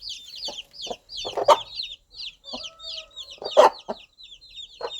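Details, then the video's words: Soft clucks from a mother hen calling her young chicks to stay close, sounding singly or in quick pairs about every half second, while the chicks keep up a busy chorus of high, sliding peeps over the top. "Sound of Mother Hen Calling Her Baby Chicks"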